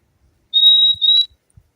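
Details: Fim-fim (purple-throated euphonia) singing a bright, piercing double whistle, two pure high notes run almost together, with faint low thumps in the background.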